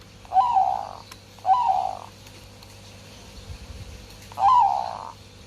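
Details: Zebra dove in breeding condition singing: three mellow cooing phrases, each a soft rolling trill that wavers and fades, spaced about a second and a half apart, over quiet background hum.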